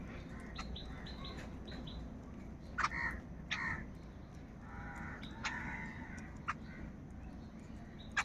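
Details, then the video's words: Large flock of crows fighting over food: scattered harsh, raspy caws from several birds overlap, some short and clipped, a few drawn out, over a steady low background rumble. "Huge numbers of Crows crowing and crying sounds | Kaka sound and noises of Crow birds"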